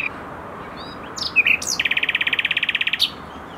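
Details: A common nightingale in Tokat, Türkiye, gives a song phrase: a few sharp whistled notes, then a fast rattling trill of about twenty identical notes before a final chirp.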